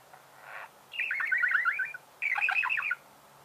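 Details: Caged budgerigar giving two rapid chattering trills of scratchy warbled notes, each lasting about a second, after a faint opening buzz.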